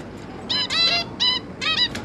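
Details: Zebra finch family of five, two adults and three juveniles, on 11 May 2022: four distinct nasal, toy-trumpet-like beeps, each about a fifth of a second long, given in quick succession.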